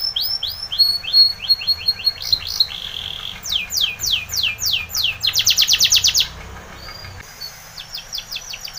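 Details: Timbrado canary training song mixing short arched whistles, a buzzy flat note, a run of steep descending sweeps and a fast metallic trill, followed by soft thin notes.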